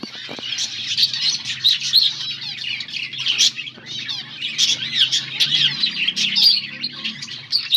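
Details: Finches eating green food on August 17, 2024, producing steady overlapping high-pitched chirps and twitters throughout, with a faint low hum underneath.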